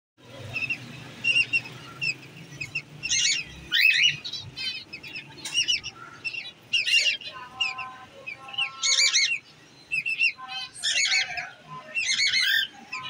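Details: Pet cockatiels, paired and ready to breed in winter, mating, give bursts of shrill, warbling chirps and whistles in quick succession.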